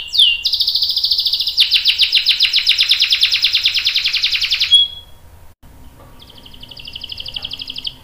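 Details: Canary singing a long roll meant to set other canaries singing; a sustained fast buzzy trill for nearly five seconds, a short silence, then a softer trill.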